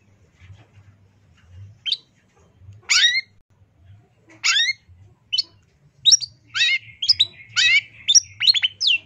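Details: Long-tailed shrike master recording in full 'tembakan' style for training songbirds: scattered sharp, high chirps at first, then quickening into a burst of varied rattles, harsh notes and slurred whistles, with a soft low hum behind.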